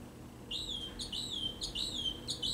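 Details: Mockingbird singing in the distance, heard from a cabin porch: high, clear downslurred whistled phrases, each repeated about every half second, with a low steady hum underneath.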